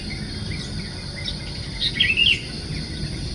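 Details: A sooty-headed bulbul calling in the morning from high on banana leaves in a garden, in a rainy period, gives a quick burst of bubbly, mid-pitched notes over steady high insect buzzing and a low hum.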